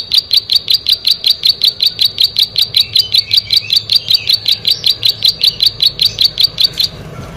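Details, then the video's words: Vigorously singing plain prinia gives a rapid, regular train of high, clicking-buzzy notes, about two and a half per second, ending abruptly after nearly seven seconds; background otherwise quiet. "Prenjak Sawah Gacor"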